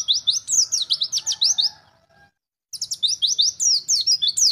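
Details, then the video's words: Sharp, rhythmic high chirps from a wild-type white-eye, used to excite young birds, in two fast strophes separated by a silent pause of about half a second. "Masteran pleci ngalas untuk meningkatkan emosi burung pleci muda"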